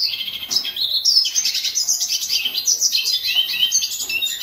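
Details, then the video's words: Hooded siskin song: a continuous rapid twittering of high, bright chirps and short whistled slurs, with some notes climbing sharply, running without pause through the whole stretch. "Hooded siskin song - Cabecita negra"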